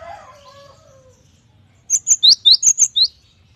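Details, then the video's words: Faint low warbling fades out before a Cinereous tit bursts into a quick string of about seven ringing, high rising chirps, each sharp and evenly spaced, in a lively full-variation song. "GELATIK BATU GACOR || the melodious sound of stone sparrows"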